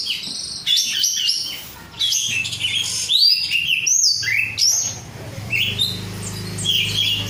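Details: Oriental magpie-robin (kacer) kept as a caged hobby bird, an untrained 'rudal korea' singing gacor: rapid varied whistles, sharp upward slurs and chattering notes, with a low steady hum in the background.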